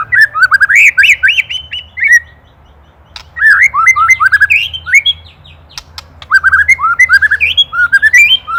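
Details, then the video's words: White-rumped shama from Indonesia, an excited 'ketrekan predator' recording used as a master for training songbirds. Loud, rapid whistled phrases of rising and falling notes, broken by sharp dry clicks and short rattles, with a brief pause near three seconds. "LANGSUNG EMOSI | KETREKAN PREDATOR | MASTERAN MURAI | SHAMA BIRD INDONESIA"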